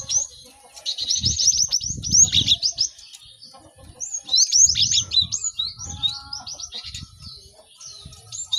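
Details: Lively gathering of cinereous tits, a recording played to help caged birds learn to sing quickly; dense high chirps and rapid repeated notes in two busy bursts separated by a quieter gap, with low rumbling background noise.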